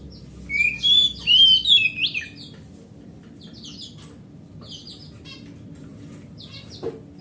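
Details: Wild oriental magpie-robin, used as a lure to get a silent pet magpie-robin singing: a short burst of clear, varied whistled phrases with rapid slurred notes in the first two seconds, then near quiet with faint high notes.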